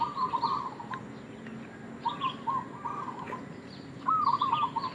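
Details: Local zebra dove used for baiting others, uttering three trilled cooing phrases separated by pauses, the last louder and more broken, with high faint chirps behind.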